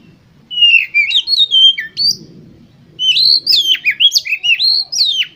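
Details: Oriental magpie-robin singing to stimulate competition birds: smooth, sustained whistled notes sliding downward, a short pause, then a rapid series of loud sweeping whistles with abrupt pitch jumps.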